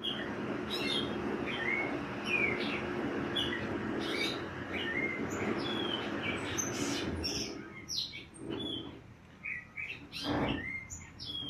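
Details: Red-crested cardinal, a regular visitor at a stay in Princeville, Kauai, Hawaii, in 2015, gives short, bright, upslurred whistled notes at uneven intervals over a steady low rumble of wind or distant noise.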